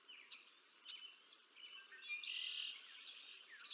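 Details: Bald eagles at the Decorah North nest on 20 April 2024, an adult female feeding two eaglets, caught on a nest camera: high, thin chirps and piping notes, with one longer harsh squeal in the middle, over faint background hiss.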